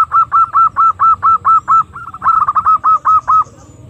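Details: Female zebra dove call used to lure birds: a fast, even run of short, soft hooted notes at a steady middle pitch, roughly seven per second for over three seconds, over a faint low rumble.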